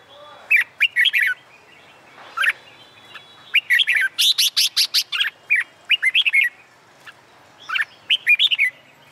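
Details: Contest-training Red-whiskered bulbul singing on a summer day, delivering lively, repeated whistled phrases almost continuously, with a dense burst of sharp notes around four to five seconds and further warbled phrases to the end.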